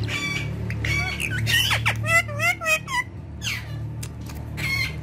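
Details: Pet parrot speaking: a string of clear whistled and voice-like phrases with sweeping, rising and falling tones, broken into short bursts, alongside a low hum and human speech.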